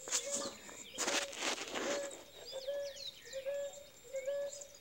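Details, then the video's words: Territorial male ruddy ground dove, its mate incubating eggs, repeating short low coos at a regular rhythm; loud rustling or handling bursts in the first two seconds, then background chirps from other small birds. "Rola caldo de feijão demarcando território."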